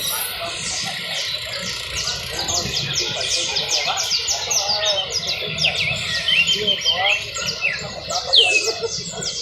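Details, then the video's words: Canary trilling continuously in high, rapid strokes, ending with a few bright rising whistles, over a faint low rumble. "trino de canario"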